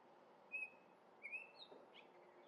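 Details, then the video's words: Two clear whistled notes from orioles at a grape jelly feeder in Minnesota, the first steady and loud, the second slurring upward, followed by a softer burry note. "Orioles singing and eating grape jelly!!"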